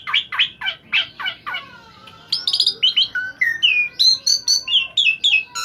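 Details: Asian pied starling singing energetically, recorded as training audio for songbirds: a run of rapid buzzy chattering notes, then varied whistled phrases, some sharply rising and falling, repeated in quick succession.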